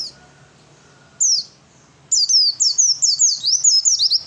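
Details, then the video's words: Oriental white-eye singing its fighter song to draw answers from other birds: one short high whistled note, a pause, then a rapid string of sweeping, slurred high notes over a faint low hum. "suara pleci fighter yang lain pasti nyaut !!!"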